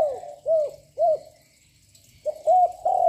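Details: Young spotted dove with a loud voice, cooing continuously to provoke other doves: low hooting coos, three in quick succession, a pause, then three more, each about half a second apart.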